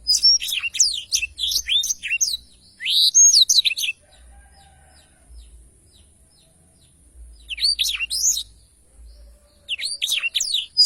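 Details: Bursts of fast, high, sweeping twitters from a Blackthroat in extended rolling song, with quiet gaps of a few seconds between phrases.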